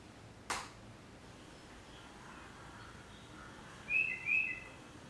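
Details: A Tufted Titmouse in a yard gives two quick, clear whistled 'peter' phrases close together, two rather than the typical three. A sharp click sounds earlier, over faint background hiss.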